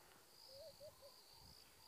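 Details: Laughing dove at dawn, about 6:08 am on a gloomy, cloudy, windy morning of 19 March 2017 at Djuma Game Reserve, gives three soft, low, quick, slightly bubbling coos over a steady high insect trill; song.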